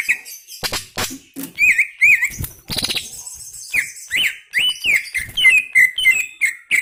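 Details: Greater green leafbird in energetic gacor song: a fast run of rising-and-falling whistled notes, repeated in quick succession, mixed with rattling chatter and sharp clicking bursts.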